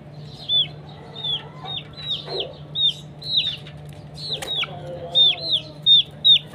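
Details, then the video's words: Chickens fighting in the morning: a string of sharp, high peeps that slide downward, about one to two per second and loudest near the end, with a soft steady hum behind. "Morning time fight and sound of the chicken"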